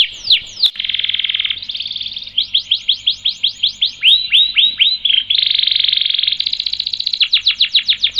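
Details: Canary singing energetically in an extended rolling style for training other birds: downswept chips, buzzy trills, quick series of rising-falling whistled notes, and alternating dense rattles and crisp repeated slurs.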